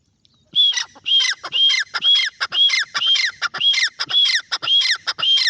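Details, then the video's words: Close, strident francolin calling: a steady train of harsh, ringing squawks, each phrase with a clear high tone dropping away, repeated about twice a second for over five seconds on a quiet background. "Teetar ki Awaz | Teetar voice | Teetar Calling | Francolin"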